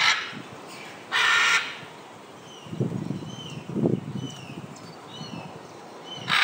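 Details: Scarlet macaws in flight at Paradise Park in Hayle, Cornwall, giving a short, piercing, grating squawk, then quieter rustling and faint thin chirps of other birds before another harsh squawk at the end.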